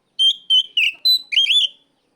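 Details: Five sharp whistled notes from an Oriental magpie-robin calling out a rival, the first ones high and level, the last a longer warbled phrase, with nothing else audible.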